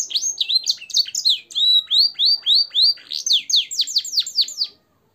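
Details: Canary singing blackthroat and sanger-style phrases on a training recording for caged birds: rapid high chirps, then a steady run of about a dozen sharp, downward-sweeping notes, ending abruptly in silence.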